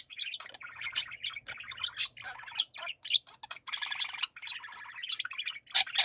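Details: Budgerigars warbling together in a chorus, a steady stream of scratchy, chattering trills and high squeaks with brief gaps. A faint low hum sounds in the first half.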